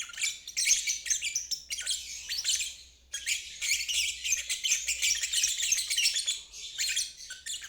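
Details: Lovebird ngeriwik, a long trilling chatter used as training playback for stalled birds and young birds learning to trill. Dense, harsh, buzzy chatter runs high and continuous, with a short gap near three seconds before the trilling resumes.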